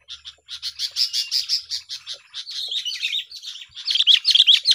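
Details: Lure sound for trapping sooty-headed bulbuls, a chirping duel: continuous fast chatter of high, buzzy repeated notes about two to three per second, ending in louder warbled whistles.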